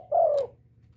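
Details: A spotted dove gives one low, soft coo, a hollow note gently falling in pitch and lasting under half a second, with a faint hum behind; recorded to stimulate captive doves to coo.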